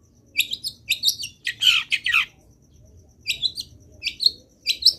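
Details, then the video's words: Long-tailed shrike singing actively with a full set of fill-in phrases, recorded to prompt other shrikes to sing: clusters of high, harsh chattering notes, a louder rasping burst in the middle, then quick chips repeated at roughly half-second intervals. "CENDET GACOR BIKIN BURUNG CENDET LAIN IKUT BUNYI - MASTERAN CENDET GACOR FULL ISIAN"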